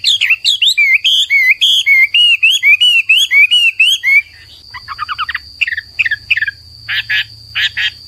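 A Hwamei sings a rich run of looping, whistled phrases, each note sliding up and down, then switches to quick, harsh chattering bursts over a steady high hiss.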